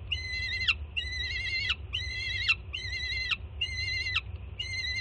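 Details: Harsh rasping screams from a young peregrine falcon as its banded mother arrives with breakfast at a Jersey City nest, 24 June 2017; five long, wavering, harmonic screams repeated about once a second, each ending in a falling tail.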